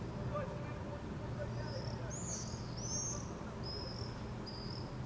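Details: Common swifts (Apus apus) under a full moon in Helsinki, Finland, July 2014, give four or five thin, high, buzzy screams in quick succession, some rising and falling, over a steady low rumble of distant traffic or machinery.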